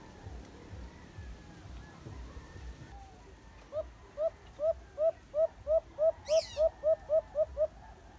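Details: White-eared brown dove caught in a cage trap during a rescue: after about four seconds of background rumble, a rapid series of about fourteen short, hooting notes, evenly spaced roughly three per second, with a brief high sound midway.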